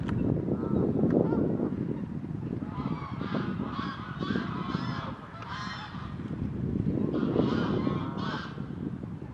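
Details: A reunited courting pair of great crested grebes, already nest building, trade harsh, nasal, honking calls in rapid bursts of about four a second, over a steady low rumble of wind or water.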